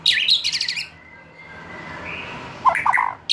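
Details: Young forest-caught White-rumped shama past the spotted juvenile phase, recorded to lure birds into song: a buzzy, rasping high burst, a pause with soft faint whistling, then a cluster of low, rich notes.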